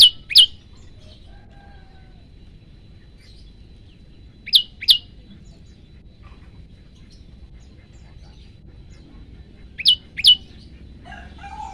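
Olive-backed tailorbird giving sharp, high, explosive paired notes, three bursts roughly five seconds apart, over a faint low background hum.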